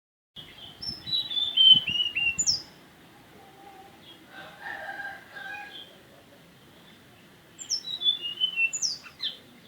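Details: Mountain tailorbird song: quick series of thin, high whistled notes stepping downward, given twice about six seconds apart, with fainter, lower, drawn-out bird notes between the two bursts.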